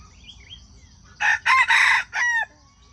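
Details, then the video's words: Crowing of a wild junglefowl, the sound used to attract wild chickens into traps: a harsh four-syllable crow, the middle section long and raspy, the final note sliding down, over soft bird chirps and low hum. "Wild chicken traps are fascinated by the sound of chickens crowing."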